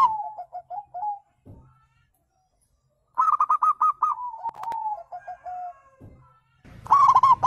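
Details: Wild zebra dove, used as playback to prompt birds to answer: soft descending coos, a pause, then a long rapid string of clipped coos sliding into lower trailing notes, and the start of another burst.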